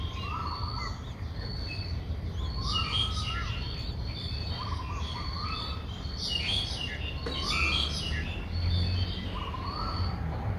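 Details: A six-day-old Streak-eared Bulbul nestling begs, Ubon Ratchathani, Thailand, 8 April 2023. Thin high piping notes repeat steadily, interspersed with rising slurred calls roughly every two seconds, busier chirping midway, over constant low background hum.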